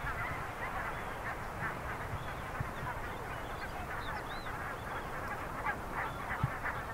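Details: Geese in a colony where a small polar bear cub is present; a dense, continuous chorus of overlapping honking calls from many birds, with a constant low rumble of background noise.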